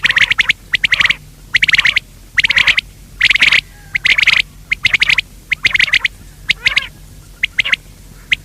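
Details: Quail, male and female birds, calling: harsh, buzzy bursts repeated at an uneven rhythm, about seventy a minute, some rapid stuttering groups, with clipped notes mixed in.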